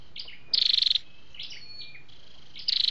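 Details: Flowerpecker (chim sâu đầu đỏ) calls of male and female, used for trapping or stimulating caged birds. A short, rapid, high trill, then thin slurred chips, then the trill starts again.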